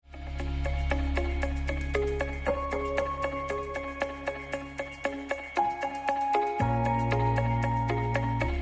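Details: Instrumental music plays throughout: sustained low drones under bright plucked, marimba-like notes forming a shifting melody, with no animal voice.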